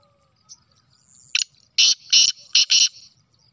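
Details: Sindhi black francolin recorded on 25 June 2024. A loud, harsh, grating call follows a short introductory note: four raspy bursts in quick succession. A faint low hum runs underneath.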